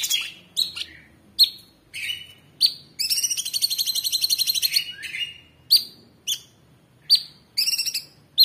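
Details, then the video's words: Orange-bellied Leafbird, a cage bird, singing a tembakan master phrase: sharp descending whistled notes spaced about half a second apart around a two-second buzzing high trill in the middle. "Tembakan Cucak Cungkok super gacor ❗ Masteran Terbaik"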